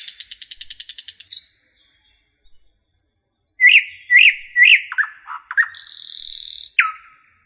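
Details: Common nightingale singing in a forest: a fast buzzy rattle of repeated notes, then pure whistles after a pause, a series of rising chirps and a dry buzzing trill ending on a downslurred whistle.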